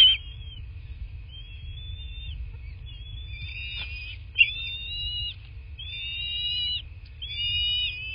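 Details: A series of about seven strained, high whistled notes from a bald eagle, recorded by a nest camera in southwest Florida on 8 March 2024 at about 11:00. The notes come closer together toward the end, with one sharp click and a low rumble beneath.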